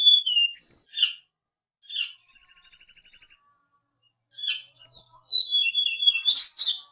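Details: Lure song of a mountain tledekan to provoke fighter birds: brief sliding whistles, a long rapid even trill lasting over a second, then cascading high whistled notes and a harsh final burst.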